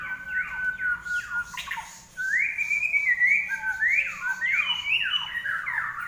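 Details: Common iora in full song: a continuous string of clear whistled notes, some steady and drawn out, others sliding downward in quick succession, over a faint low background hum.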